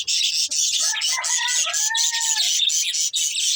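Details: Budgies enjoying green food chatter in high, fizzy chirps while a lower, drawn-out, wavering note sounds through the middle.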